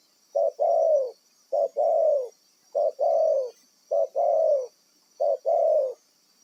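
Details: Wild spotted dove from a trapping area, taken for use as a decoy bird; low two-part coos, a short note then a longer falling note, repeated five times about every 1.2 seconds over a steady high-pitched hiss.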